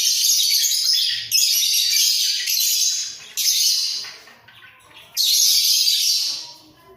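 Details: Caged breeding pair of budgerigars bobbing their heads while singing actively: four loud bursts of harsh, buzzy chatter, each about a second long, with short quiet gaps between them.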